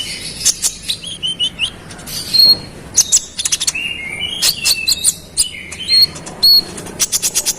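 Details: Brown-throated sunbird (konin) singing persistently to rile rival birds: a fast, high stream of thin chirps and twitters broken by brief clear whistled notes, with little background sound.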